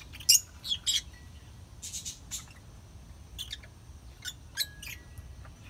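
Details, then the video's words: Chirping lovebirds giving brief high-pitched tweets and squeaks, several clustered at the start and others spaced irregularly, with soft low hum behind. "Chirping love birds"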